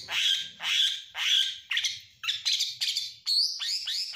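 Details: Oriental magpie-robin in a stressed state, singing to goad other birds: rough scratchy downward-trailing notes repeated about twice a second, then rising whistled slurs.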